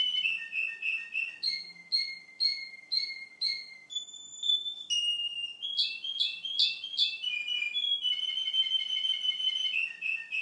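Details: Male Russian canary song two months on: repeated bubbling notes, paired syllables roughly twice a second, a few hollow flute-like tones and sharp ascending chips, ending in a long smooth lower-pitched rolling trill.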